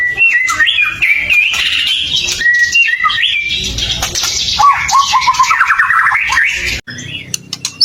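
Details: Gacor White-rumped shama singing as a provocation lure for other shamas: stepped whistled phrases, dense chattering warble, then a fast run of repeated notes before a brief pause and sharp fragments.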